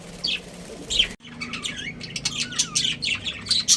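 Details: Pet budgerigars, a breeding pair, chirping: a dense stream of quick, high squeaky notes and short warbled whistles sliding up and down, following two separate chirps and a brief pause.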